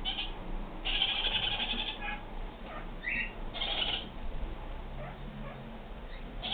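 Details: Harsh, bleating chatter from a kakariki, a New Zealand parakeet: a drawn-out raspy burst, a brief squeak, then another rough phrase, repeating unevenly over a quiet rumbling background.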